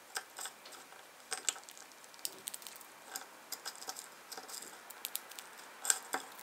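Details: A pet Java sparrow eating a mix of about forty kinds of seed and picking out favourites: dry, crisp, irregular cracking clicks and crackles, several per second, with brief pauses and no calls.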